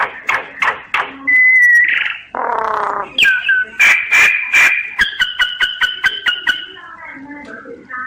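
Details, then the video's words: Common myna singing, captured with a phone recorder app: a varied run of sharp clicks, a thin level whistle, a buzzy harsh burst, then a series of repeated two-tone whistled notes fading into soft chatter. "Tiếng chim sáo, sáo nghệ hót chuẩn"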